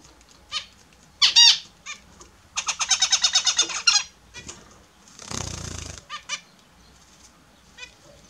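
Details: Captive Australian zebra finches taking their morning bath: nasal, harmonic-rich calls, then a quick run of about ten evenly spaced repeated notes near three seconds, with a burst of splashing water around five seconds and a few more short calls.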